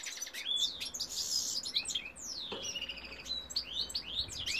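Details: European goldfinch male singing a lively run of high sweeping chirps and downslurred tinkling notes, interspersed with short buzzy bursts, bright and continuous throughout.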